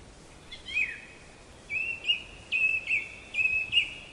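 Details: Black-capped chickadee whistling a run of clear, level notes, about five in four seconds, each held briefly with a slight upward flick at its end; soft background hiss, no other clear sounds.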